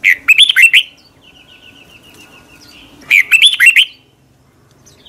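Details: Morning song of a red-whiskered bulbul, recorded in 2020 in the double, long-twisting voice style. Two fast phrases of slurred whistles come about three seconds apart. Between them a faint, even series of soft high notes is heard.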